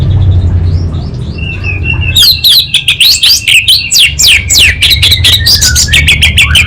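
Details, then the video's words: Orange-headed thrush song from Singaraja, North Bali: soft opening whistles, then a dense, energetic stream of scratchy, downslurred chirps and clicking rattles, with steady low rumble underneath. "ANIS BATA Berkicau Gacor"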